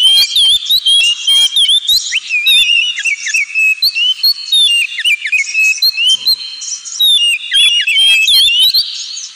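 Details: Oriental magpie-robin (kacer) singing in the 'ngemplong' style, played as therapy for pet birds: a loud, nearly unbroken stream of clear high whistles, sharp upward and downward slurs and quick varied phrases, with only brief gaps.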